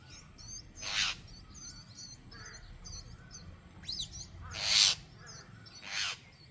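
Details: Jungle myna (Acridotheres fuscus) calling: three loud, harsh, rasping screeches about a second or more apart, with thin high chirps and a rising whistle between them.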